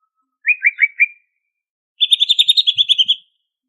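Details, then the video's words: Song of a greater green leafbird originally from Banyuwangi, Indonesia, in energetic ngentrok style: four quick dipping whistled notes, a short silence, then a fast, even burst of high chirps about a dozen strong. "Kicau Cucak Ijo Gacor Asli Banyuwangi Ini Asli, Ngentrok Full Isian!"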